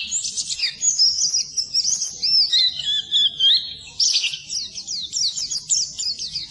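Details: Oriental white-eye song for training birds that stay silent; high twittering opens, shifts into a sliding warbled phrase, then ends in rapid repeated chirps.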